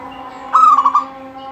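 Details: Singing local zebra dove whose voice prompts other doves to sing. A single short phrase gives a clear opening coo and then a rapid bubbling roll of notes, with a low constant tone behind it.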